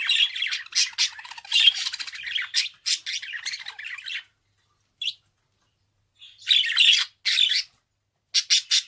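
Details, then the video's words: Chattering budgerigar: four seconds of fast scratchy warble and squawks, a long silence broken by one short chirp, then more harsh squawking notes in short separate bursts. "Kuş sesi - Muhabbet Kuşu"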